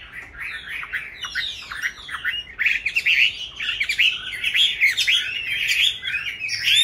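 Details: Chinese hwamei in captivity, reared from a young bird into its fifth year, pours out a varied, loud song of quick downslurred and upswept whistles, building in strength toward the end over faint background hiss.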